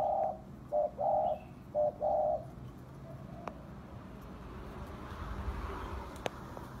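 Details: Spotted dove used as a lure caller, the full calling phrase in the style known as hạp bổi: soft low hooting coos in a quick broken sequence of short and longer notes, then quiet with faint rural background noise.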